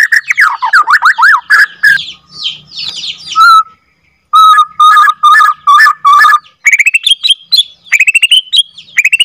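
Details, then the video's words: White-rumped shama of Borneo stock, second generation, singing a long rolling song meant to provoke other shamas: rapid varied whistles and trills, harsh buzzy phrases, steady repeated notes around mid pitch, then high sweeping whistles. "MURAI BATU BORNEO F2 NGRROLL PANJANG AUTO BIKIN MURAI LAIN GAK BISA DIEM IKUT EMOSI"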